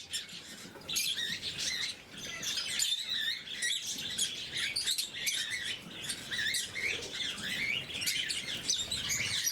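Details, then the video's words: Blue mutation lovebirds during morning feeding, a dense flock chorus of high, sharp chirps and squeaky twitters overlapping continuously, with short rising and falling notes and faint clicking or pattering underneath. "Попуги неразлучники, утреннее кормление"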